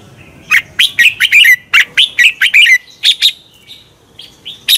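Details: Competition-style red-whiskered bulbul song, played to provoke other birds into singing: a dense run of rich, liquid chirps and slurred whistles, about a dozen notes in under three seconds, followed by softer scattered notes and a final loud call.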